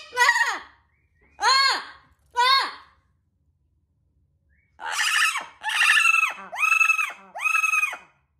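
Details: Pet parrot left alone indoors, desperate for its owner and yelling at the household cat: loud, harsh, harmonic screams, three short ones, a pause, then four longer drawn-out squawks in quick succession, in a small room.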